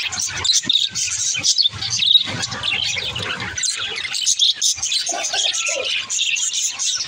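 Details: Budgerigars talking among themselves with bursts of scratchy chirps and squawks separated by short gaps, plus a few lower warbled notes toward the end.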